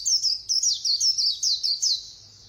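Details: White-eye in fast 'líu' singing, pouring out a dense string of very high, squeaky, looping notes in quick short phrases for two seconds before fading.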